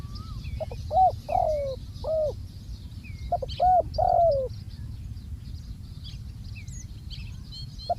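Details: Decoy spotted dove calling during ground decoy trapping: two phrases, each a soft short note, a rounded coo and a long drawn-out falling coo, separated by a pause, over low rumble and distant high chirps of small birds.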